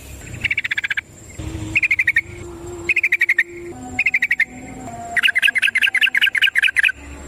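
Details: Wild yellow-vented bulbul singing a long rapid song in nature, used as a lure to get other bulbuls singing: bursts of fast chattering notes repeated about once a second, with a steady thin insect-like buzz in the background.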